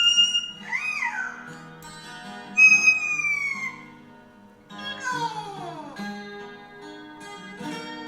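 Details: Cockatoo singing Stairway to Heaven, imitating a guitar: clear, tonal, swooping and sliding notes, with low background tones beneath.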